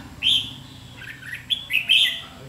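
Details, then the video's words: Red-whiskered bulbul challenging a decoy at a trap, recorded 7 July 2016: a loud clear whistled note opens, followed after a pause by quick slurred chirps and two further sharp warbled bursts, with steady low background hum. "Bẫy đấu chim chào mào hót ché nạt mồi"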